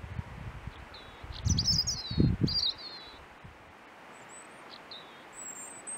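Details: Forest robin on a hike, singing short high twittering and slurred phrases with brief pauses, thin faint notes later; loud low rustling and thumping handling sounds midway.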